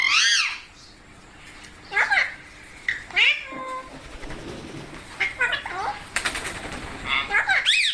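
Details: Parrot talking, giving a series of high, arched, harmonic calls with a meow-like quality, spaced out over several seconds with quiet gaps between them and low room noise beneath.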